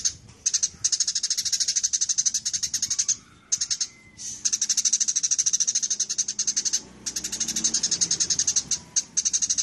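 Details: Eurasian tree sparrows fighting, in a long training recording: dense bursts of rapid, harsh, buzzy chirps, about ten a second, broken by short pauses, with a faint rising whistle near four seconds and a low background rumble.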